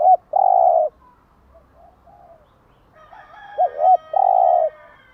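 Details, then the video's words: Cooing of a spotted dove in the morning, played to stimulate caged doves: a long coo, soft distant coos, then a paired lead-in and another sustained coo, with faint high chirping behind. "Tiếng chim gáy bài bản gáy buổi sáng"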